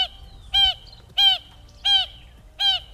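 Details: Acacia pied barbet in Augrabies Falls National Park, South Africa, calling from an exposed perch: four loud nasal, horn-like notes, each slightly falling, repeated about every two-thirds of a second over quiet background.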